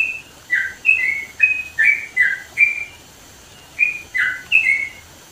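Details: A sooty-headed bulbul in the East Java highlands sings two bursts of sweet, liquid whistles, the first of about seven notes, then a pause and a shorter three-note phrase.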